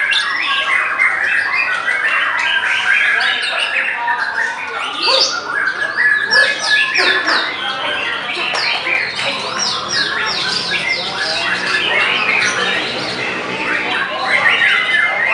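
White-rumped shama song: dense, rapid runs of loud whistles, rattles and harsh chatters, overlapping with other birds singing at once.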